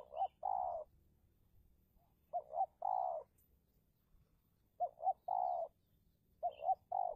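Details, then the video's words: Spotted dove decoy luring wild doves in a territorial battle, Indonesia. Repeated low cooing phrases, each two short coos then a long coo, four phrases in quick succession; occasional faint high chirps from other birds. "Pikat Tekukur (Take down Tekukur Liar)"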